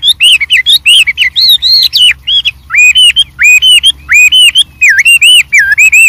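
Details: White-rumped shama in the wild delivering a lively, highly varied song of loud, clear whistles, arched and dipping slurs repeated in rapid succession with brief pauses.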